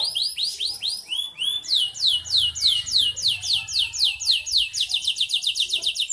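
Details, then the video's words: Energetic canary in kalitan song style, opening with a string of rising-then-falling whistled notes, then a sustained chattering trill of quick down-slurred notes, about four per second, accelerating toward the end. "Suara burung Kenari kalitan gacor"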